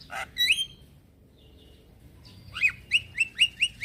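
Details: Calling male Javan myna summoning young companions: an opening harsh note and bright whistle, a pause with faint notes, then a steady series of six short downslurred whistles about every quarter second.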